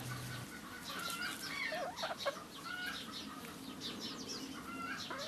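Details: On a sunny but cold day in Normandy, the head cockerel in a coop makes a nest for a hen, giving soft, wavering, murmured nesting calls, low and uneven, with a quick upward-bending note midway; faint chirps and farmyard background behind.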